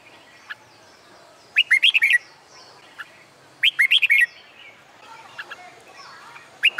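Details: Red-whiskered bulbul singing on a hot summer day, used to train birds for song contests: two bursts of quick, loud, warbled whistled notes, rising and falling, about two seconds apart, with faint twittering from other birds behind.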